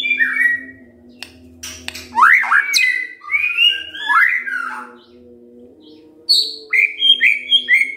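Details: Morning white-rumped shama song meant to make other shamas reply: looping rising-and-falling whistles, a quiet gap, then short high bright notes, over a constant faint low hum.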